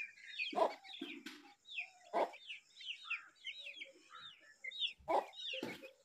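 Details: Young Brahminy starling protecting an egg: busy, overlapping high chirps and short rising and falling whistled notes run almost continuously, broken by loud dull knocks and thumps, with a brief low buzzy sound near the start.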